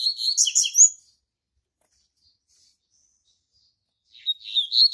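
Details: Captive double-collared seedeater, a registered bird kept as a singer and song tutor for a breeding stock, gives a fast twittering phrase of high buzzy notes and trills for about a second. After a long silence the next phrase begins.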